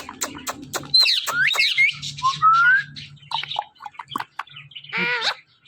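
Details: Talkative pet parrot mixing sharp clicks, twisting squeaks and a rising whistle, ending in a harsh buzzy squawk, with a low background hum.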